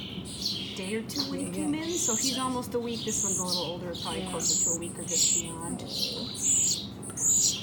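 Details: Two very young nestling towhees, one California and one Spotted, in rehabilitation care after falling from their nests, give thin, high, insistent chirps in quick repeated bursts while a woman talks steadily throughout.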